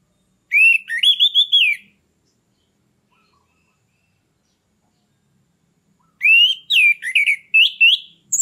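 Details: Captive orange-headed thrush song, played to stir a stalled bird into breeding condition: two bursts of rich, clear, varied whistled phrases with quick slurred notes, separated by about four seconds of silence.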